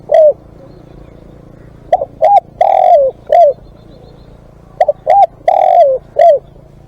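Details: Spotted dove calling as a live decoy: a lone falling coo, then two full phrases of paired short notes, a long throaty coo and a dropping final note, about three seconds apart, over a quiet low hum.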